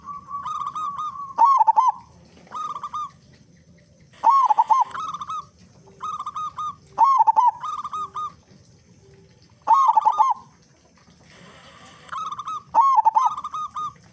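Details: Local zebra dove in full, loud song meant to prompt other doves to start singing: repeated phrases, each a rapid warbling burst followed by evenly spaced level coos, about every three seconds, with soft low background rumble.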